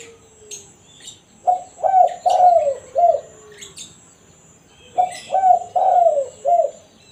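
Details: Kuk satu call of a spotted dove, an original sound for luring wild birds: two evenly paced phrases of four hollow coos, the third stretched and falling, with scattered high chirps in the background.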